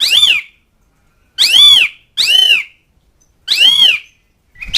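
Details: Asian pied starling calling to mates and rivals, giving loud, harsh arched notes with strong overtones, four notes spaced over about five seconds with silent gaps between.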